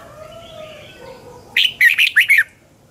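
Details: A red-whiskered bulbul in the double-twist singing style delivers one quick phrase of five looping, slurred notes after a stretch of faint background tones. It is a morning training song used as a lure for other birds.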